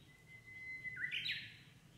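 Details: Japanese bush warbler in spring countryside during the breeding season: a drawn-out pure whistle held for nearly a second, then a sudden rich, rolling flourish leaping upward, against low rural background hum.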